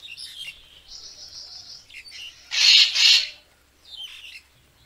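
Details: Racket-tailed treepie calls played as a lure for bird photography: a thin sustained high note, then two loud harsh, rasping bursts in quick succession, followed by a fainter scratchy call near the end over a quiet background.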